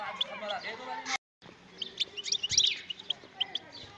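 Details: Song of a wild European goldfinch, a lively run of high tinkling notes and short buzzy phrases, broken by a brief silent cut, then resuming as a denser twittering cluster of bright chips.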